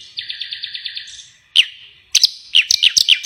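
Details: Songbird singing freely after release: first a pulsed, buzzy high trill, then sharp downslurred chips and quick whistled notes in close succession.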